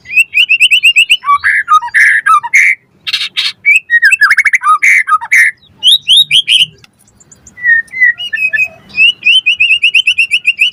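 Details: White-rumped shama song used as a lure and tutoring recording to get birds singing: rapid varied phrases of clear whistles, harsh buzzy bursts and trills, repeated ringing whistle notes near the start and end, brief pauses between bursts.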